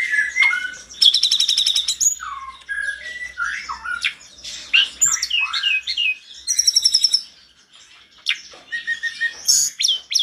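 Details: Excited mountain tledekan singing loudly while other tledekans answer: a busy medley of whistled slurs, squeaky twitters and chattering notes, broken by two fast, rattling high trills, then a short pause before the whistling resumes.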